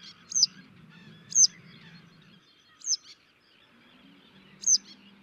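A citrine wagtail gives four sharp, high, down-slurred call notes about one to one and a half seconds apart, over a low background rumble.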